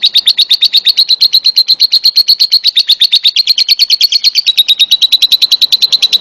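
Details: Lovebird in a long ngekek: a clean, loud chattering trill of sharp, even notes at about seven per second, kept up without a pause for over six seconds.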